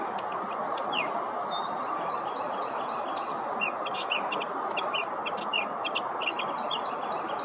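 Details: Northern mockingbird imitating other species: thin high notes, a falling whistle and scattered sharp clicks and chirps in varied quick bursts, softer than the steady background rush.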